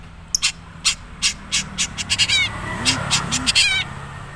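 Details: Long-tailed shrike (cendet) from Madura with few mimicked notes: choppy harsh notes and brief trilled phrases, with two soft low arching sounds and a faint hum in the background.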